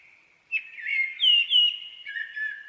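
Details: Common blackbird delivering a smooth, loud fluting phrase with looping, upslurred whistles that stays mostly melodic, with only faint high squeaks near the end.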